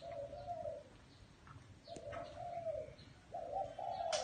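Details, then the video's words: Spotted dove in a small garden giving three soft cooing phrases separated by short pauses, each note a mellow rising-then-falling coo; faint chirps of other birds in the background. "Tiếng Chim Cu Gáy"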